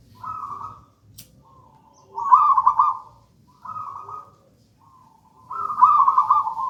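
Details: Zebra dove of local wild gedang rojo type, used as a master and lure song: soft trilled coo alternating with louder rolling phrases, roughly every one and a half seconds.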